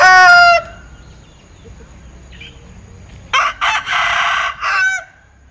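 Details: Linh Kê rooster from Vietnam, noted for its odd crow: the tail of one crow ends abruptly, then after a quiet pause with a faint distant call, a new hoarse crow of stuttered notes and long rasping syllables.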